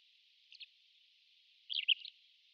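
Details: Rare migrant pied wheatear: one short scratchy note followed after a pause by a quick, chattering burst of squeaky, twisting notes.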